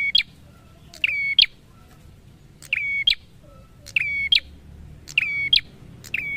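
A prinia gives sharp, bright chirps with a ringing edge, mostly in quick pairs and repeated about every second and a half. No other sounds are heard.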